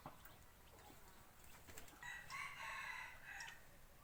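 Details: Decoy rooster used for forest hunting, crowing at a distance: one harsh, harmonic crow of about a second and a half, over steady background hiss and scattered faint clicks.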